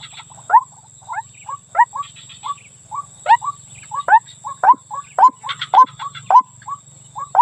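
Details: White-breasted waterhen female calling the male for luring: a fast, slightly uneven run of sharp upward-flicking notes, some strongly accented, with brief buzzy bursts above, all over a constant low hum.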